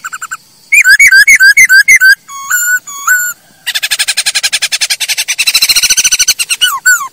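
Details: Masked laughingthrush song used as a training track for teaching caged birds to sing: loud whistled rising-falling notes in quick series, a few flat whistles, then long rapid rattling trills.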